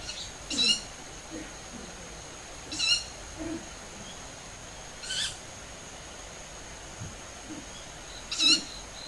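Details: Young owls calling at dusk in early summer, 20 July around 7:40 pm, about five birds moving overhead, recorded in a garden on a compact camera. Shrill, hoarse harmonic calls repeated roughly every two to three seconds, four in all.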